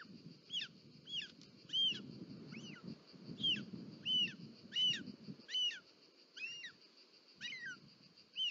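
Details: Short-toed snake eagle nest in Parc Natural dels Ports, Catalonia, 18 July 2024, with a snake being delivered. About ten sharp, kinked whistled squeals come irregularly, over rustling and a constant high whine.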